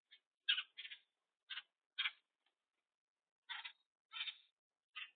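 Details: On a bird cam, a boat-tailed grackle utters short, grating, broadband notes in small clusters separated by short silent pauses.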